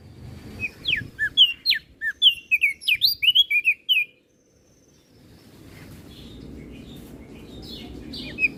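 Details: Crested white-eye from Flores in energetic song, kept as a master for tutoring other birds: a rapid four-second string of sharp, high, falling notes, then near silence and a steady low background rumble.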